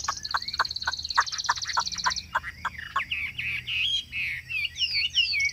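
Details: Chinese hwamei kept for its song: a high rattling trill with sharp falling notes, then clear looping whistles.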